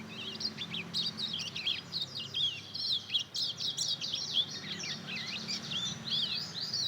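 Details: Juvenile Mozambique canary and canary cross, aged two months, learning to sing. A continuous, rambling high warble of rapid twisting chirps and trills, uneven in rhythm, carries on for about seven seconds over a low background hum.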